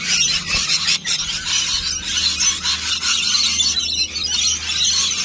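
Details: A crowd of lorikeets at a nectar-mix feed, joined by a gate-crashing cockatoo, screech together in a constant, harsh, high-pitched chatter with no pauses, with scratchy rustling underneath.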